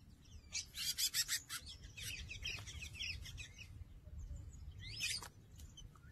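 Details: Two male Chestnut-capped seedeaters fighting at a feeder; a burst of harsh, rapid chattering notes, then scattered chirps and a brief twittered phrase, with low background rumble.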